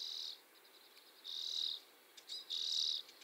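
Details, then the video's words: Common or mealy redpoll, a UK bird, in a field recording: three drawn-out, buzzy, high-pitched notes, each about half a second long, spaced roughly a second apart, with faint ticks between them. "Common Redpoll UK Birds. Bird Song Identifier, Field Recording, Bird Song, Bird Call"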